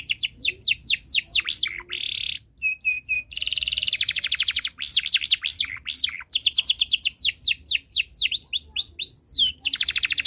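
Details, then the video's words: Long, almost unbroken canary song intended to tutor young birds: strings of swooping whistled notes, rolling buzzy trills and rapid clicking runs in quick succession. "Suara Burung Kenari ● Masteran Kenari Paud Belajar Bunyi | Kenari Gacor Cuit Cuit Panjang"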